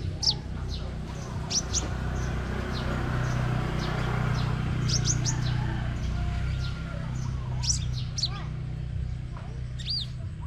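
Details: Crimson sunbird singing in a competition in Đồng Nai province, Vietnam: thin, high, steeply falling notes in clusters every second or two, some paired, above a constant low engine-like drone.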